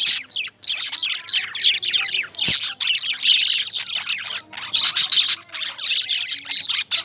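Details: Lovebirds, called Indian lovebirds, in a dense stream of overlapping high, scratchy chirps and squawks with short pauses between bursts, several birds calling at once.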